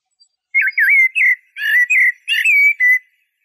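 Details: Eurasian blackbird delivering a continuous run of rich, mellow whistled notes. Each note is warbled or slurred, and the notes follow one another in quick succession with no background noise.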